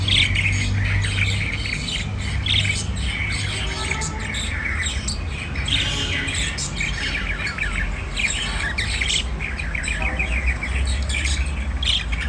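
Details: White diamond budgerigar warbling and chirping in a long dense stream of squeaky, buzzy notes and clicks, steady throughout, with a strong low hum underneath.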